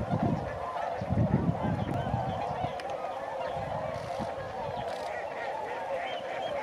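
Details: Flying tundra swans over Sakata, Japan, 3 November 2018, give a continuous mass of overlapping nasal honks, many birds calling at once, with gusts of low wind noise.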